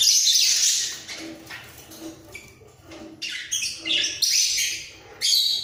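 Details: Budgerigar pair in a breeding cage, bobbing heads while singing: an opening harsh burst, then soft clicks and chirps, building into choppy squeaky warbling and a final rasping phrase.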